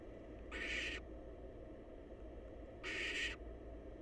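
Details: Two wheezy, hissing shrieks, each roughly half a second long and about two and a half seconds apart, come from wild barn owl youngsters in a nest box waiting to be fed. Faint low rumble beneath.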